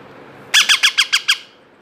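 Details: Baby parrots two months old, two of them, during hand feeding give six rapid harsh squawks with a bright upper edge, evenly repeated over under a second, then quiet room tone.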